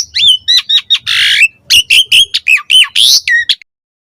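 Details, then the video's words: Javan pied starling song used for training juvenile starlings, with loud squawky hooked notes repeated in quick succession and a harsh rasping burst, ending abruptly in silence. "Pancingan Jalak Suren Auto NYAUT RESPON Mompa Gacor Full Isian Buat Masteran Suara Burung Jalak Muda"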